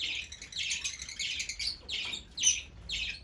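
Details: Fischer's lovebird chattering in rapid, high, squeaky chirps that run together in short rolling bursts.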